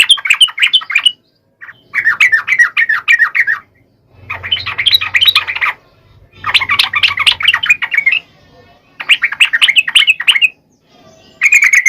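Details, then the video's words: Sooty-headed bulbul in full, energetic song, used to stir lazy birds into singing. Repeated bursts of rapid, jumbled warbling notes, each lasting one to three seconds, alternate with brief quiet breaks, with a faint low hum in places. "SUARA KICAU TRUCUK GACOR AMPUH BUAT PANCINGAN TRUCUK MALES"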